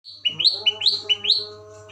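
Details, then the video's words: Long-tailed shrike giving a tembakan burst in tree-sparrow (gereja) style: quick, bright chirps, each sliding upward, repeated about five times in a second, over steady humming tones. "Burung Cendet Raja Tembakan Gereja"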